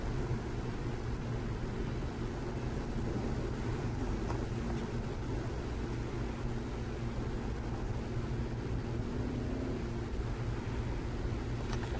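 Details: A steady low engine rumble like passing traffic or a vehicle idling nearby, with no animal calls heard.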